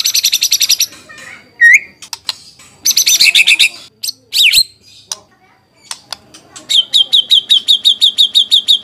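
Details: White-rumped shama singing as a lure to provoke replies, fit for tutoring: bursts of dense high chatter, a looping whistle, sharp clicks, then a long regular sequence of repeated ringing notes.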